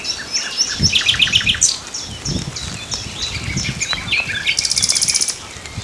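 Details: Common nightingale singing varied phrases: quick bursts of repeated chirps, sharp high whistles, and a closing fast, very high rattling trill. Low rumbling noise sits underneath.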